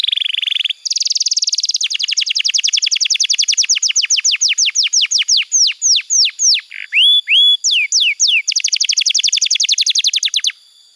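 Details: Canary tutor song for training young canaries: a buzzy opening note, then long rapid trills of downward-sweeping notes, a few clear rising whistles, and a fast even trill at the end.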